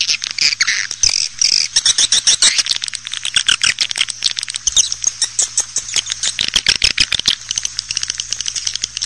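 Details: Chattering swiftlets, played to attract them into bird houses: a continuous mass of high twittering and clicking chirps that grows busier, then thins into scattered clicks, over a faint low hum.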